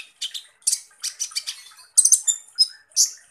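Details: Van Hasselt's sunbird, locally called kolibri ninja, singing a harsh, rapid song: short scratchy bursts of high, buzzy notes repeated in quick clusters with brief gaps, some thin whistled tones mixed in.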